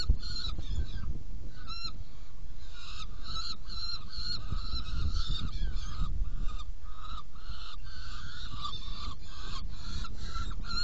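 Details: At a saker falcon nest box during feeding on 17 June 2018, 10:31, harsh, nasal calls repeat in an uneven run of about two per second throughout, with a constant low hum beneath.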